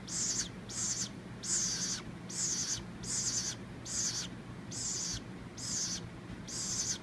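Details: Baby woodpecker that fell from its nest in a palm tree, hand-raised and fed moist cat food and water from a paint brush and spoon, gives high hissing, raspy begging calls repeated about once a second against steady background hum.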